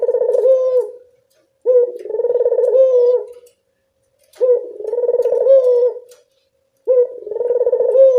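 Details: Barbary dove at dusk, its voice used to lure other doves: deep, purring coos, roughly two-second phrases repeated about every two and a half seconds, with clean silence between them.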